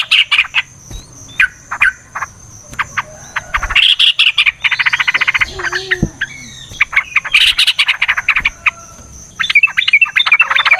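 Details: Long, aggressive fighting song of a yellow-vented bulbul, meant to provoke other birds to answer: fast chattering phrases, rattling trills and sharp chirps, with a short quiet gap near four seconds and a faint steady high whine throughout.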